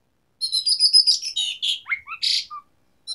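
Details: Asian pied starling singing actively with varied fill-ins: a dense, high chattering and squeaky jumble, a few upslurred and downslurred whistles, a harsh burst, then silence before one last short note.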